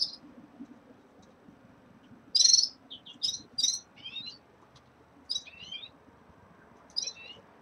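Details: At the start of moult, caged red-fronted serins give a loud high chirp followed by quick clustered notes and short falling twitters, repeated in small groups over soft background noise.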